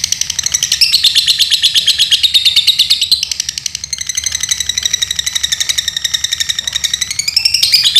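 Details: Lovebird in Pemalang, Central Java, Indonesia, delivering a long, high, buzzy trill whose pitch wavers up and down, dipping briefly in volume midway before rising again to a shrill finish.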